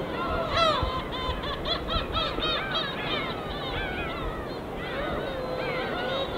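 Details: A flock of gulls wheeling over the winter East Sea keeps up a dense chorus of overlapping mewing and yelping calls, several each second, with calm waves washing beneath.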